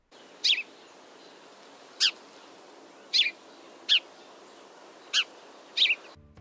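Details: House sparrow (Passer domesticus), a non-native urban bird in eastern North America with no true song, giving six short, bright chirps spaced unevenly about a second apart over a faint steady hiss.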